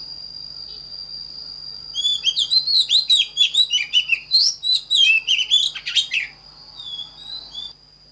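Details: Oriental magpie-robin song meant for training birds in the standard voice: a lively run of about five seconds of varied whistles, swoops and chirps. A steady high tone sits beneath it.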